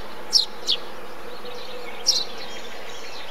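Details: Three quick, high, falling chirps from a Eurasian tree sparrow at a bee-eater colony, then quieter faint twittering over low background noise.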